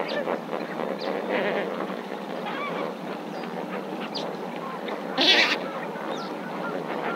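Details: Lesser flamingos at Marievale giving a dense, continuous chorus of nasal, honking calls from many birds, with one loud, harsh burst about five seconds in.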